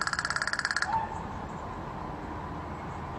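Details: An American Crow in Seattle gives its rattling, clacking call, a dry, rapid rattle of about fourteen clicks in under a second, distinct from its caw, then only a faint background hum.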